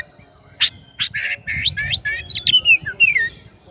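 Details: Oriental magpie-robin, called kacer locally, singing loudly in gacor style to call its rival: a rapid series of sharp, loud whistled notes and slurred descending phrases, each note clean and separate.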